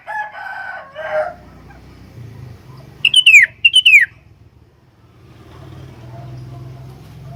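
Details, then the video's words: Caged sooty-headed bulbul, used as a tutor for other bulbuls, gives two loud rich down-slurred whistled phrases back to back, after a brief burst of other noise and with low rumbling in the background. "BURUNG KUTILANG SUPER GACOR ISIAN, COCOK BUAT PANCINGAN/MASTERAN KUTILANG LAIN"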